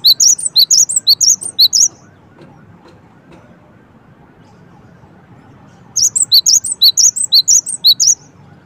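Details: Cinereous tit uttering quick strings of shrill, high chirps, roughly two per second, in two bursts separated by about four seconds of quiet background.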